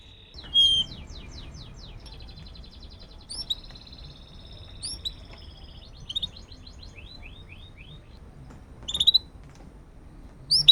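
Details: Canary song used as a master recording to prompt other canaries to sing: high, rapid series of thin whistled notes and sweeping trills, with sharp bright chirps at intervals, over quiet low background hum.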